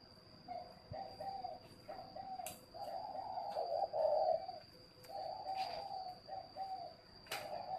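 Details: Spotted dove from a northern Vietnamese bird garden, cooing in repeated low rolling phrases, with sharp clicks and a steady high electrical whine in the background.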